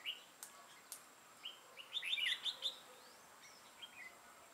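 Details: Trapping-decoy red-whiskered bulbul, recorded 6 November 2018, gives a short burst of quick, bright, chattering notes mid-clip, framed by scattered single chirps and a few sharp clicks.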